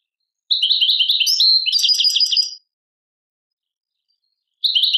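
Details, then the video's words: Goldfinch song labelled Tadmait from Algeria: an extended phrase of liquid twitters building into a fast rattling trill, followed by a quiet gap and the start of another twittering phrase. "chardonneret chant tadmait"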